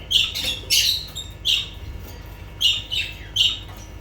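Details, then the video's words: Lovebirds giving loud, harsh single squawks, five short high shrieks spaced irregularly about half a second to a second apart, over a quiet low hum. "Sounds of lovebirds"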